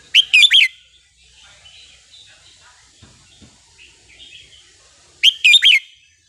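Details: Red-whiskered bulbul of the counting-flower (sai nap dok) line singing wild-style song: two short bright whistled phrases of three or four rising, warbling notes, one at the start and another about five seconds later, with quiet between.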